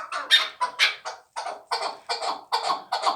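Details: Young fighting chukar partridge, hatched last year, giving a run of harsh, rasping chuk notes, loose at first and then steadier at about two per second. People laugh nearby at the start.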